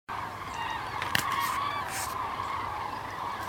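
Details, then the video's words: Common cranes migrating south on 9 November 2014 as winter approaches; a dense chorus of many overlapping trumpeting calls from a flock, continuous throughout, with a brief sharp click and some broadband noise. "Die Kraniche ziehen gen Süden"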